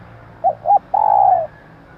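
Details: Female spotted dove calling, a call used to lure males: two short soft coos followed by one long drawn-out coo. The notes are low and hollow, over faint background hiss.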